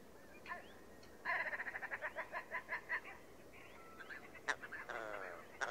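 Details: Willow ptarmigan calling: a series of about a dozen evenly spaced, nasal pulsed notes that gradually fade, followed by scattered softer clucks and a brief rattling burst, over a steady background hiss.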